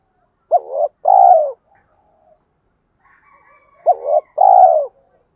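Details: Spotted dove 'tiếng thúc' call used for luring wild birds. Two coo phrases about three and a half seconds apart. Each has a hooked double note and then a broad, buzzy, downslurred coo, with faint background tones in the gap.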